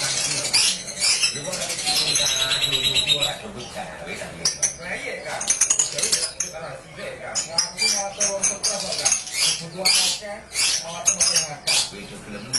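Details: Hundreds of lovebirds at a breeding farm fill the air with dense, overlapping shrill chirps and squeaks, a loud continuous chatter with brief bursts of wing flapping.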